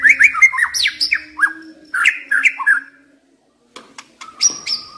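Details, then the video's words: Young wild white-rumped shama song for mental stimulation: quick varied whistled slurs and chirps for three seconds, a brief gap, then a few sharp high notes and a thin sustained tone. "Pancingan MURAI BATU Muda Hutan"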